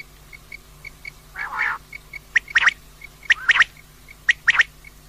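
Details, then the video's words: Common quail, described as female, calling: sharp three-part notes, one then a quick pair, repeated about once a second, with faint soft high pips between and a short harsh burst early on; steady low hum underneath. "common Quail Calling, Female Batair Ki Awaz"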